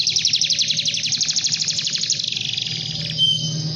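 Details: Canary singing at length to call a rival: a rapid, even trill of high chirping notes, about four per second, that slowly drops in pitch and ends in a short thin whistle, over a low steady hum.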